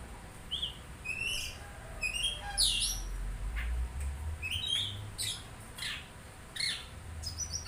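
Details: Oriental magpie-robin singing a varied run of short whistled notes, upslurs and sharp high chirps, with brief pauses between phrases and a low rumble underneath.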